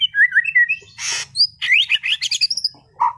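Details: Competition-class White-rumped shama in Sragen sings quick warbling notes, a harsh noisy burst, then a fast run of high rising chirps, over a faint low hum.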